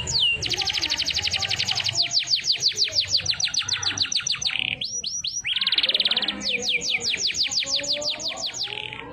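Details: Canary singing a song with the siren-style phrase: long series of rapid, steeply descending whistled notes, a few drawn-out sliding notes in the middle, then another fast descending run, over faint background noise.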